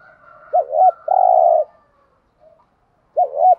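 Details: Decoy spotted dove calling to stimulate other doves: a deep, curling two-part note, then a steady, slightly rattling hoo, with a faint higher drawn-out call in the background. The phrase begins again near the end.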